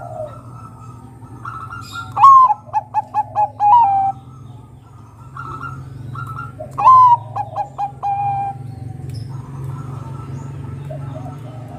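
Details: A Bangkok-strain Zebra dove (perkutut), used to lure other doves into calling, sings two phrases, each a rising whistled note and then four or five short, mellow cooing notes, over a steady low hum.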